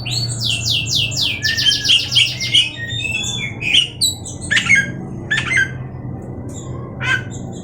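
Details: Oriental magpie-robin in Indonesia giving a rapid run of repeated downslurred notes, then scattered harsh chip calls, over steady low room hum.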